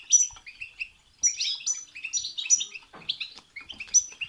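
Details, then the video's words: European goldfinch song played to stir another goldfinch into singing: fast tinkling, twittering phrases with bright high notes, short liquid trills and buzzy elements in bursts with brief pauses, a few soft thumps below. "بتبتة وستستة تخرج الحسون عن السيطره..... هيجان خرااافي تسببه هذه البتبتة نار على نار سيغرد حسونك"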